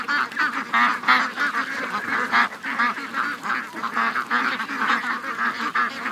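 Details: A crowd of over 700 ducks and geese moving to the lake on an August 2015 morning; rapid, jumbled quacking and honking in steady choppy pulses with no letup.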